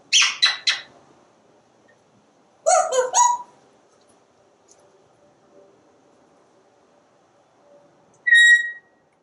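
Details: Parrot commenting from a screened porch as squirrels and birds move outside: rapid harsh chattering bursts, a second squawky cluster, then a single clear whistle.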